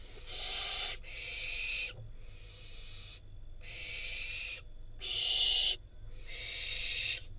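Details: Barn owl fledgling, wild, in Israel, being brought prey by its parents and eating it; a steady run of six harsh hissed screeches, each roughly a second, with brief gaps.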